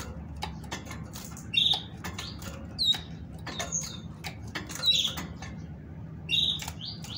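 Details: Female great tit singing to stimulate males to sing: high thin whistled notes, some with a falling or rising slur, repeated about every second, amid sharp clicking and tapping noises.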